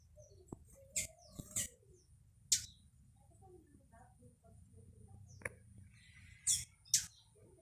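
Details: Blue hummingbird, a female that dominates a backyard and chases other birds from the nectar, giving sharp, very high isolated chips spaced a second or more apart, with soft low chirps of other birds between them.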